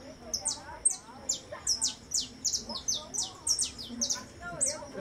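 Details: Saffron finch in steady song, a dense run of piercing, downward-swept notes repeated several times a second, with faint voices murmuring at a lower pitch.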